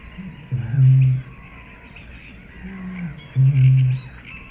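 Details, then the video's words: Eurasian bittern booming: two deep, low hooting booms around one second long, near 0.8 and 3.6 seconds, with fainter low grunts between, over a soft background hiss. "Большая Выпь - Звуки птиц"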